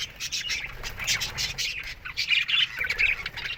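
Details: Morning chatter from aviary budgerigars: many birds give scratchy chirps and short warbling phrases in an uneven, overlapping stream, rising and falling in loudness.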